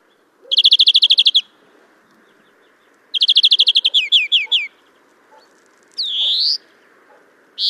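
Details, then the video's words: European greenfinch singing in April near Kholm, Novgorod oblast, Russia: fast rattling trills of bright repeated notes, a second trill slowing into separate chirps, then a drawn-out buzzy wheeze rising at the end. "Обыкновенная зеленушка Chloris chloris, песня / European greenfinch song"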